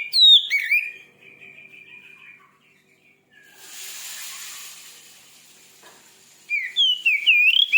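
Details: Oriental magpie-robin song, said to rouse another magpie-robin, with sharp looping whistles at the start and end and a steady whistled note between, partly covered by a broad hissing noise.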